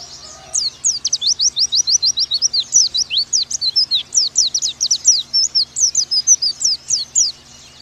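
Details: Oriental white-eye masteran meant to get pleci to 'nembak': nearly eight seconds of unbroken, high-pitched, fast downslurred chirps at a driving, even rhythm, with a short low tone at the very start.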